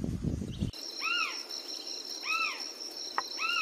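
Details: Hodgson's frogmouth calling in the morning: after a brief low rumble, three arched, slurred notes with a rising-then-falling shape, spaced about a second apart, over a steady high insect drone.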